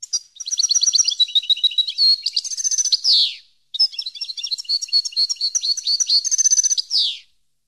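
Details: European goldfinch song from a recording meant for teaching song to captive birds: two long bursts of fast, liquid twittering and tinkling notes, high-pitched, each phrase closing with a downward buzzy slur, with a brief pause between.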